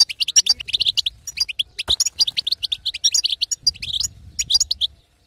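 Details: Female European goldfinch giving 'batbata' calls, meant to stir a silent male into singing: rapid, high twittering chirps in quick bursts, with short pauses between runs and a faint low hum underneath.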